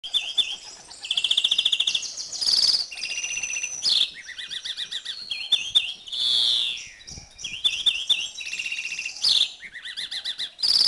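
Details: Male European greenfinch in breeding condition singing during the 2011 season: fast rattling trills alternate with twittering phrases and a long, nasal, buzzy wheeze that drops in pitch, song running almost without pause.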